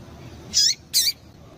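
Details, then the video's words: Female coleiro, Double-collared seedeater, calling to prompt a male to sing: two quick high, shrill notes less than half a second apart, each sliding downward at the end, over low hiss. "Piado de Fêmea de Coleiro para Esquentar Coleiro"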